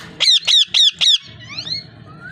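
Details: A parrot gives four loud, harsh squawks in a steady rhythm, then trails off into soft, faint warbling notes.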